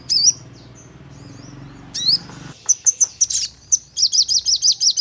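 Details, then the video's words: Sogon lure sound for prompting birds to sing: scattered high twittering and sliding chirps, a low hum in the background, ending in a fast run of bright repeated notes at about three per second. "Burung Sogon Untuk Pancingan Dengan Nembak Dan Ngleper"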